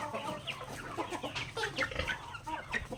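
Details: Backyard chickens pecking grains at feeding time: quick stuttering clucks from several birds, short rising squeaky notes, and sharp pecking clicks throughout.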